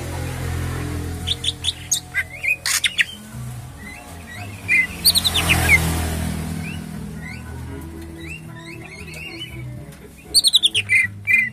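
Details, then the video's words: Greater green leafbird kept caged at a bird shop kiosk gives short bursts of clear rising whistles and quick chirps separated by pauses, over a steady low rumble of traffic. "Cak ijo jos"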